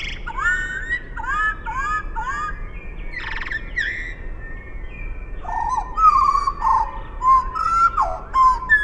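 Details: Eurasian blackbird song slowed to half speed: four similar low fluting phrases in a row, a scratchy burst, then slurred mellow warbling notes over a steady background hiss.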